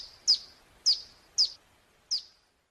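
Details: Hill prinia song used as a lure to make birds answer: four clean, piercing chirps that drop sharply in pitch, spaced about half a second apart.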